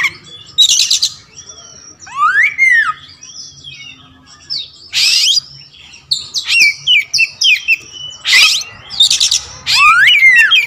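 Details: Black Oriental magpie-robin (kacer wulung raja) delivering a varied song: sweeping upward and downward whistles, clipped tonal notes and brief harsh buzzy bursts separated by short silences.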